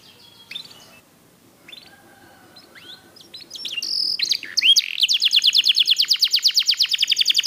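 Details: Black-red mosaic canary: soft scattered chirps and short whistles for several seconds, then the song swells into a loud, fast, very regular trill.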